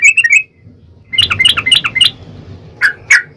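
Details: Yellow-vented bulbul lure song in 'gacor' style, meant to make another bulbul answer: a brief fast trill, a burst of jumbled bubbly notes, then two separate ringing notes, with soft low hum beneath.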